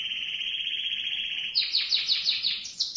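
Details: Canary singing a long rolling trill used as a lure to teach young canaries; a steady buzzy roll for one and a half seconds, then rapid descending slurred notes repeated about four times a second, ending in higher whistles.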